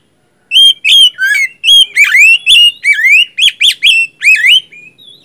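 Oriental magpie-robin singing loud, varied whistled phrases, some rising and some slurred, delivered rapidly with brief pauses. No other sounds are heard.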